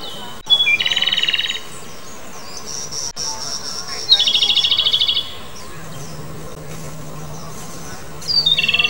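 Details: Japanese robin singing: each phrase opens with a sharp high note and breaks into a fast, even, rattling trill lasting about a second, given three times with pauses between; a faint low hum runs underneath later on.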